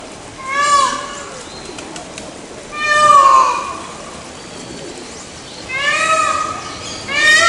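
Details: Peafowl calling loudly: three drawn-out, nasal, cat-like wails, each about a second long with a slight rise and fall, spaced roughly every two to three seconds, over steady background hiss.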